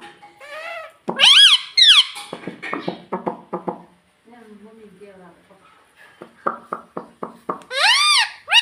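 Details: A talking parrot kept as a pet repeats mummy and papa indoors: loud nasal squeaky syllables, a lower murmured stretch, then quick clipped notes ending in a strong high wavering call.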